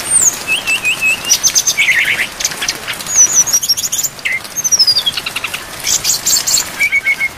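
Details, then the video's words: Brown-chested jungle flycatcher, tutor recording for caged birds rich in fill-in phrases, rain falling: high, thin whistles, stuttered trills and a few lower slurred notes, broken by dense patter of rain. "MASTERAN SRDC FULL ISIAN DAN AIR HUJAN DURASI PANJANG"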